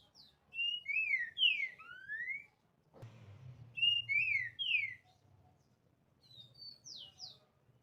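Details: Green-winged saltator song: two bouts of rich slurred whistles, each a quick run of falling and rising notes, separated by a brief low rumble, then softer high whistles at the end.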